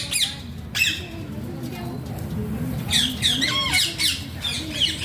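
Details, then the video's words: An Alexandrine parakeet gives a couple of sharp squawks, then a quieter stretch of low, muffled voice-like sounds, ending in a rapid run of raspy, ringing squawks. "Alexander pahaadi tota funny talking sounds"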